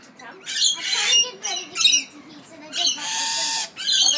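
Lorikeets give harsh, grating screeches in rapid bursts, several overlapping, with one long rasping squawk near the end.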